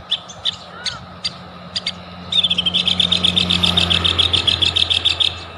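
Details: White-rumped shama lure to trigger singing: scattered dry clicks, then a long, fast, steady trill of high, sharp notes repeated rapidly for three seconds.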